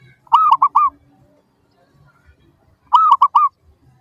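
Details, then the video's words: Zebra dove coo used as a lure to prompt other doves to answer: two loud bursts of three to four rolling, rounded notes, the bursts about two and a half seconds apart, with faint low background noise. "PANCINGAN Burung Perkutut Suara Paling Ampuh! Bikin Langsung Cepat Di Respons Pasti! Nyaut"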